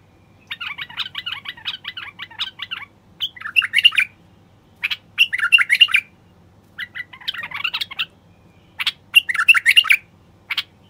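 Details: Male common bulbul singing to stir silent wild bulbuls into song and mating: a run of rapid buzzy chattering notes, then several short, bright, warbled phrases separated by brief pauses.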